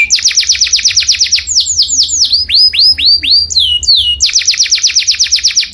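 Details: Canary song recorded loud so other birds can imitate it: repeated fast down-slurred whistles at a steady pace, a varied middle section of swooping notes, then the quick down-slurred series returns.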